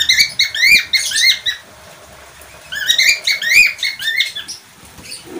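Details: Budgerigar twittering in two lively bursts of squeaky, looping chirps, a pause between them and a low rustle at the end.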